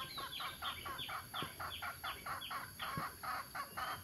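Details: Adult male and female mixed-breed red junglefowl at Nam Som, Udon Thani, giving a rapid run of short, harsh, clucking notes, roughly four per second, with a few louder, sharper notes among them, over a steady high electrical whine.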